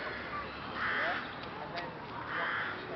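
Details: Flock of rooks in Boscawen Park, Truro, on 8 January 2021: two harsh, hoarse caws about a second and a half apart, over a steady murmur of background noise.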